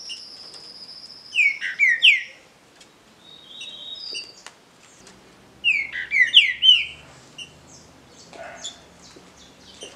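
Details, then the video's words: Green-winged saltator in a singing contest, giving two phrases of loud rich whistled notes, slurred downward and upward, about four seconds apart, with thin high buzzy notes between them and faint low hum. "DISPUTA DE CANTO (TRINCA FERRO)"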